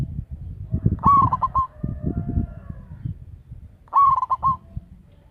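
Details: Loud-voiced local zebra dove used as a lure bird: two pulsed, trilling coos roughly three seconds apart, each beginning with a sharp rise before breaking into quick beats, over steady low-pitched background rumble.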